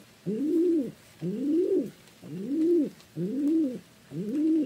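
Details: Pigeon giving five soft, hollow coos in a steady rhythm, each an arched rise and fall of low pitch, with little else audible.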